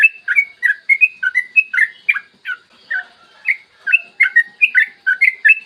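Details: Yellow-vented bulbul in long, rapid, continuous morning song, played to lure other bulbuls into singing: bubbly, liquid whistled notes, fast and chattering in short bursts, with a brief pause near the middle.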